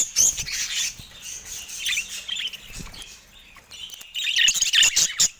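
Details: Budgerigars in a cage, pecking at a camera: loud buzzy chirps open, softer murmuring warble follows, then a final burst of quick, harsh twittering notes.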